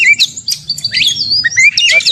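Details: Short burst of white-rumped shama fighting song used as bait for other shamas: quick bright whistles and upslurred notes, ending with a few sharp chips.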